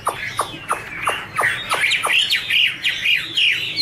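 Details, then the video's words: A female Chinese hwamei in peak form gives quick, steeply falling notes about three a second, then higher rising-and-falling whistled chirps, with a male singing in the background. "Chim hoạ mi: Mái te đỉnh cao của năm _ có chim trống làm nền"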